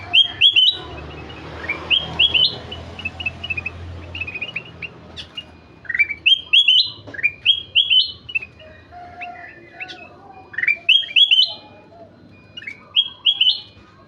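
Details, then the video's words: Golden-fronted leafbird in full song: repeated bursts of quick upslurred whistles and chirps, phrases coming every second or two, a low rumble early on. "Burung kutilang emas gacor"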